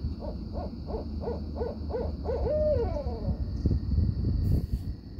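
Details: Barred owls from a family of five visiting at night, giving a rapid series of about eight hoarse hoots followed by a rising-falling wavering note, over low background rumble.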